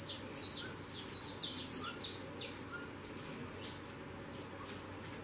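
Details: Young saffron finches fledging from the nest and taking flight give a quick burst of about eight sharp, high descending chirps in the first two seconds, then only scattered faint notes against a constant low hum.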